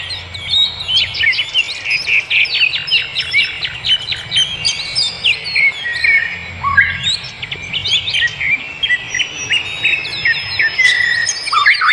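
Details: A dawn-chorus-like tangle of wild birdsong: rapid strings of sharp, high ticking chirps, twittering runs and scattered whistles from many birds, continuous throughout, with a faint low rumble beneath.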